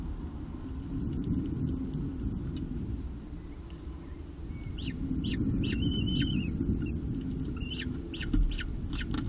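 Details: Peregrine falcon eyases at a nest ledge while their mother feeds them prey. High, sharp chirps come in quick clusters, some with a ringing overtone, over constant low traffic noise.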